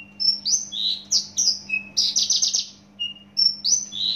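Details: Fast, loud song of a Javan bush lark from Java: whistled slurs, a burst of rapid buzzy repeated notes, then more high sliding whistles, with barely any pause; steady hum underneath.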